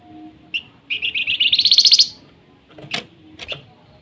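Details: Flamboyan giving a nyiul phrase: a brief chip, then a fast buzzy trill climbing in pitch for about a second, followed by two sharp clicks and a faint steady high tone.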